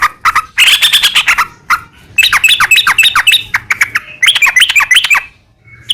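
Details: Yellow-vented bulbul in long rapid 'ropel' song, played as a lure to make other bulbuls sing back: harsh squawky notes followed by bursts of bubbly, chattering phrases with brief pauses between them.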